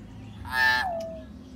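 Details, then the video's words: Common hill myna, used to prompt a silent bird to sing: a single harsh, nasal, meow-like call lasting under a second, ending in a drawn-out falling tail, with low background hum. "BEO MACET LANGSUNG CEPAT RESPON"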